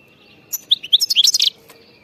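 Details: A wild European goldfinch gives one short, bitbita-style song phrase: a fast string of sweet rising notes that runs into a dense, buzzy twittering flourish, all within about a second.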